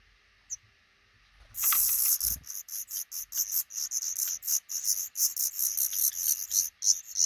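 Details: At a nest tucked under a roof right over a house door, a black redstart couple with five hatching chicks; after a short quiet start, a sudden rush of shrill, high squeaks bursts out and then repeats quickly and steadily.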